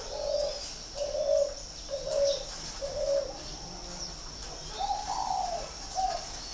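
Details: Spotted dove at a bird farm in Ba Vì, Hanoi, northern Vietnam, repeating low, round coo notes roughly once a second, ending with a higher, bending phrase, against a faint continuous high buzz.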